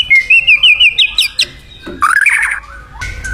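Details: Wild white-rumped shama singing vigorously: a run of quick rising whistled notes, then lower warbled phrases and a final short, steady whistled tone.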